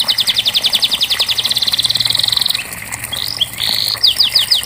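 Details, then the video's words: Canary song to encourage canaries that won't sing: a fast rhythmic trill accelerating into a rattle, a brief pause, then a buzzy held note and loud falling chips. "Terapi Kenari Macet pasti ikut Bunyi"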